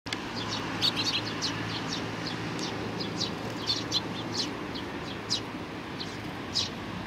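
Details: Eurasian tree sparrows, young ones among them, recorded 27 June 2019: scattered short high chirps repeated throughout, some doubled, over a steady low hum and background noise.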